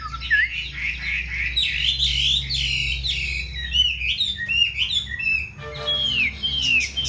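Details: Varied, loud whistled song from a caged, newly moulted Chinese hwamei, with warbled phrases, sweeping slurs and a brief pause before bright downslurred notes resume; low background hum.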